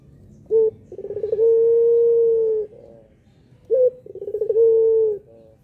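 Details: Two full coo phrases from a puter pelung dove meant to make other doves call: a short low note, an accelerating rolling stutter, then a sustained steady hum, repeated after a pause.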